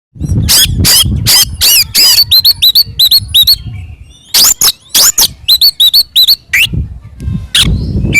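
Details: Oriental magpie-robin in full fighting song, the loud 'ngeplong tarung' style used as a lure to provoke other magpie-robins into answering: rapid harsh bursts and sharp upslurred whistles in quick runs, with low rumbling background noise.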